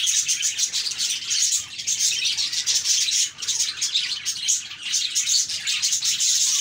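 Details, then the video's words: High, crowded budgerigar chatter, quick ticking chirps and thin whistles running on without break, a couple of brief lulls in the flock's chorus. "Budgies Chirping"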